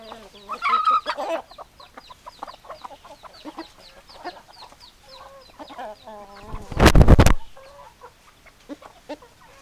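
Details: Chickens cluck and chatter in a group with repeated short nasal calls, interrupted near the end by a sudden loud broadband noise lasting under a second.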